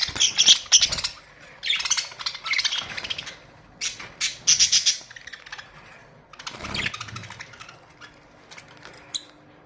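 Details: A colony of Australian budgerigars chattering: rapid, scratchy, warbling calls in overlapping bursts with brief gaps, high-pitched and busy throughout.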